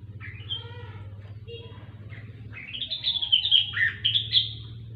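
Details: Rengganis (cucak wilis), a grey-cheeked bulbul, singing gacor-style: some lower tonal notes at first, then a loud run of high warbled notes with a dipping slur near the end, steady background hum.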